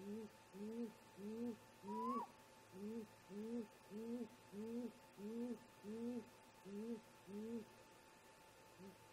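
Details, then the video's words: A great grey owl parent hoots in the early morning, about 04:25, at the snag nest, picked up by a nest camera: about a dozen deep, evenly spaced low hoots, plus one higher rising whoop near the start. "Great Gray Owl - Parents Have a Talk"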